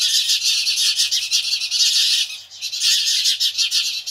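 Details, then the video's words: A flock of house sparrows screeches at a nearby Cooper's hawk, the loud, grating chatter swelling in waves, one brief dip partway through before the noisy calling resumes. "House Sparrows Reaction to Cooper's Hawk"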